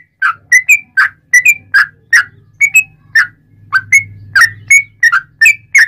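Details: Trucukan, the sooty-headed bulbul, singing actively as a lure to make other bulbuls respond: spaced, liquid whistled notes in pairs and singles, some upslurred, over a steady low hum.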